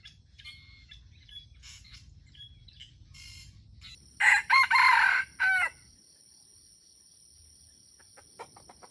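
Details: Wild red junglefowl crowing competitively at a baited trap, a loud harmonic rooster crow in several bursts in mid-clip, among faint chirps from other birds and a steady high whine.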